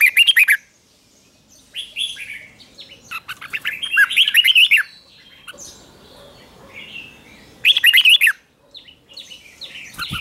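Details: Red-whiskered bulbul song for morning training: loud bursts of bright, warbled, rising-and-falling phrases recurring every few seconds, with softer twittering between bursts.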